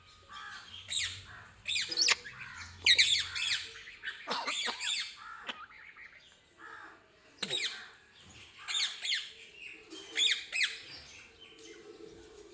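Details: African grey parrot squawking: harsh, broad squawks and short rising whistled notes come in irregular bursts, some close together, with a faint low rumble near the start.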